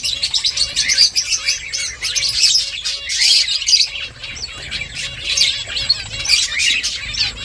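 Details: Finches chirping while making a nest: a dense, continuous chatter of high, thin twittering notes overlapping from several birds, with brief louder bursts around the third and sixth seconds.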